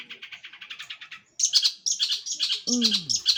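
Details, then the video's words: Long-tailed shrike in full, vigorous song, a bird kept by bird lovers: rapid, scratchy chattering phrases, then louder high, buzzy twittering bursts, with a falling whistled slide near the end. "Gacoran Full Burung Cendet"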